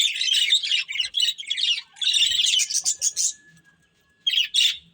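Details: A budgerigar breeding pair chirps in busy runs of scratchy, buzzy warbles, pausing briefly, then a quiet gap before two final chirpy bursts.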